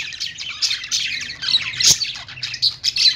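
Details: In the morning, budgerigars give quick bright chirps and scratchy warbled notes in a steady flurry, with a sharp click near the middle and a few louder squeaks at the close.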